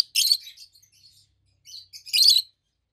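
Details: Loud, high chirping from two adult peach-faced lovebirds kept as pets: a shrill burst of chirps, soft twitters, then another loud harsh chirping burst, with quiet gaps between.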